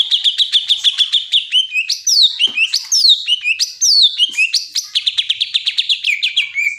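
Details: Greater green leafbird delivering a long, loud stream of rapid repeated whistled notes, broken by ringing downward-slurred phrases, then a fast chattering trill that slowly drops in pitch.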